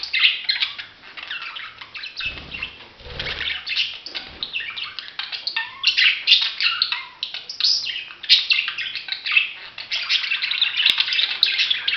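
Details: Budgerigar warbling continuously, a busy stream of rapid, twittering and squawky notes with almost no pauses throughout.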